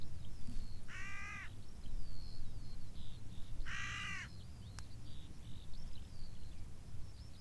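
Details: Crow calling from the top of a beech tree on a moor: two harsh, hoarse caws about three seconds apart, with faint high bird notes, likely a skylark, and low wind rumble behind.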